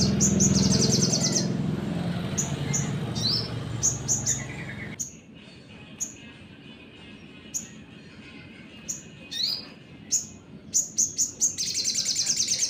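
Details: Crimson Sunbird song used as a trigger to provoke other birds. After a loud mixed stretch with music-like noise, sharp high chips and short fast trills follow, ending in a dense buzzy rattle.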